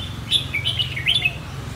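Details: Phetchaburi Red-whiskered bulbul giving plai loi song: a lively, bubbling phrase of high whistled notes with quick pitch leaps, loud and clear over a faint low rumble.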